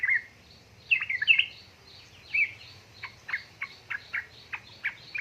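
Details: Yellow-vented bulbul, a female calling a male, in a lure for reluctant singers: a fast jumble of bubbly notes, then a steady series of short sharp chips repeated about every third of a second; faint low hum behind.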